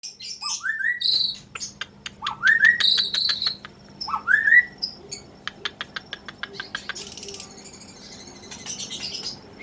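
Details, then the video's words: Young Muda Hutan, a 2016 bird, singing: rising whistled upslurs repeated with buzzy high notes and rapid clicking ticks, ending in a dense high chatter; a steady low hum underneath. "" GIMBAL " Muda Hutan angkatan 2016"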